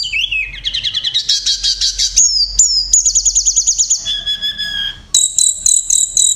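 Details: Kacer (Oriental magpie-robin) singing a loud 'roll tembakan' passage: rising burst of rapid buzzy notes, a fast steady trill of high repeated notes, a lower whistled phrase, then sharp pulsed high calls.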